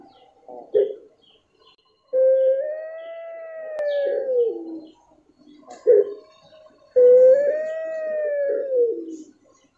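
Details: Puter pelung dove singing twice: a short harsh opening note, then a long, smooth, whistled coo that rises gently and falls away at the end, in a quiet setting.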